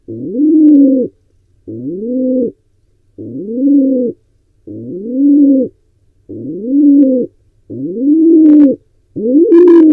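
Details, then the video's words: Wild pigeon in Israel still trying to breed in a barn owl and pigeon nest box; a long series of seven low rising coos, about one each 1.5 seconds, very even, scratchy noise over the last two. "Pigeon is still trying to breed"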